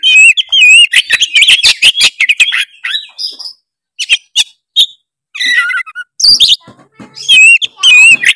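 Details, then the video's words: Vigorous gacor song of an Oriental magpie-robin (kacer) calling out for a rival, played to rouse a reluctant singer: looping clear whistles mixed with rasping chatter and quick ticking notes, then a short gap and renewed whistled phrases. "suara kacer gacor cari lawan pancingan kacer malas bunyi seketika gacor"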